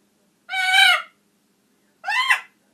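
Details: Two long, raucous screams from a pet talking macaw, each harsh and buzzy with many layered tones, the second bending upward then dropping, separated by a second of silence.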